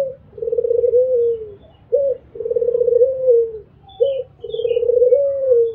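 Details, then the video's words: Repeated mbekur cooing by a white albino Barbary dove. Three rounds each pair a short sharp note with a long buzzy, pulsing coo that glides downward, spaced about two seconds apart. "PUTER ALBINO MBEKUR ll SUARA BURUNG PUTER MERDU"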